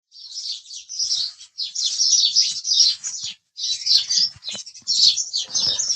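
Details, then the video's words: House sparrow chirping: dense bursts of bright, high chirps in runs of about a second, separated by brief pauses, with faint low thumps beneath. "house Sparrow Chirping Sound"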